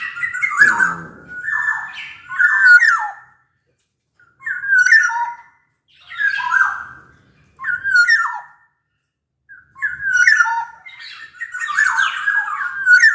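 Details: Black-naped oriole from Sumbawa singing to prompt other orioles: short bursts of loud fluty, slurred whistles, each about a second long, repeated every two seconds or so with silent gaps between.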